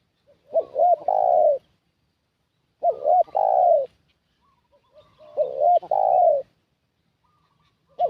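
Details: Spotted dove luring wild doves as a decoy: three loud phrases about two and a half seconds apart, each two short hooked notes running into a long coo, with faint soft notes between.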